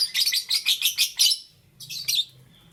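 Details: In the morning, green, yellow and lutino lovebirds give a fast run of about eight high, scratchy chirps, a pause with low hum, then a few fainter chirps.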